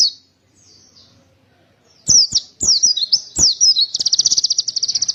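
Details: Sharp clicks and high chirps from a white-eye give way to a fast, even rattle of high notes, repeated about eight times a second.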